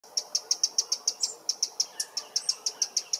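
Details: A Eurasian wren in a London park gives a hard, dry "teck" alarm at a potential enemy, about twenty sharp high clicks at roughly six per second, over a quiet background.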